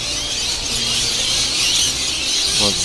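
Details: A large flock of introduced rainbow lorikeets arriving at sunset to roost in Norfolk Island pines at Cottesloe beach, Perth, Western Australia, growing noisier as the sun sets: a dense, continuous wash of shrill, harsh screeching, with a man talking over it.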